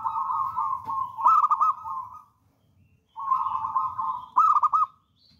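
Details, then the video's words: Zebra dove of local stock, a spirited lure bird, twice giving a rolling trilled coo that ends in a loud burst of rapid pulsed notes, with a short pause between phrases. "PERKUTUT LOKAL ALAM GACOR"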